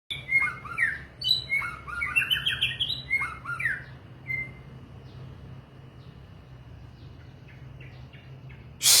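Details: White-rumped shama singing a rich run of whistled, slurred phrases, with rising and falling notes tightly packed for about four seconds before trailing off. A faint click follows, and a low steady hum runs underneath.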